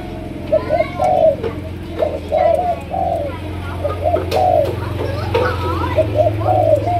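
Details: Spotted dove of the Malaysian strain giving a chiêu gù coo in sấm đồng style: a series of short mellow hooting notes with rising and falling inflections, over a steady low hum and a faint human voice.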